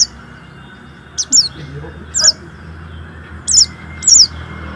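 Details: Warbling white-eye singing to prompt other white-eyes into song: spaced pairs of high, sliding chirps every second or so, with a faint rumble of background noise and low murmuring.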